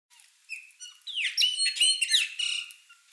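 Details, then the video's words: Chopi blackbird flock at a feeder: clear whistled notes with overtones build into loud, liquid, rising and falling phrases with fast sweeping slurs near the middle, then fade into softer scattered whistles. "CANTO DO PÁSSARO-PRETO (GNORIMOPSAR CHOPI), CHOPI BLACKBIRD, GRAÚNA Bando no comedouro."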